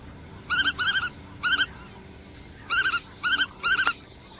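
A Black-tailed Godwit gives quick nasal bursts of three or four clipped notes, repeated six times over a soft low background hum.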